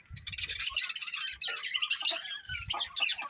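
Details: Colourful budgerigars, a breeding pair, chirping: dense rapid high warbling chatter with fast buzzy notes, some softer scattered chirps, and low knocks beneath.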